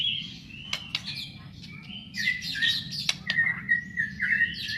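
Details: Fighter white-rumped shama giving loud, sliding whistles and short warbled notes, some phrases held level, broken by sharp clicks over a constant low background hum.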